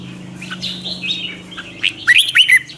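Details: Red-whiskered bulbul morning training song with twisted voice and lure chatter: soft drawn-out whistles at first, then a few loud, sharp upward-slurred notes at the end over a faint low hum.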